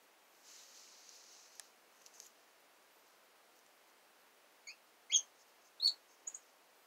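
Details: Kept female red-cheeked cordon-bleu singing: after a soft hiss and faint ticks, a few thin, very high chirps and squeaky notes arrive in a short burst near the end, unevenly spaced, in a quiet indoor setting.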